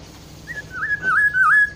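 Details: Black-throated oriole, known locally as kepodang hutan: a short high whistle, then three slurred fluty whistles, each dipping and rising, with the later ones louder. A faint low hum runs underneath.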